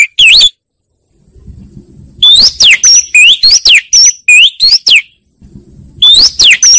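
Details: Oriental magpie-robin singing loud and clear without background noise: bursts of sharp, high whistled notes that swoop up and down and come in rapid phrases, with short pauses and a faint low hum between bursts.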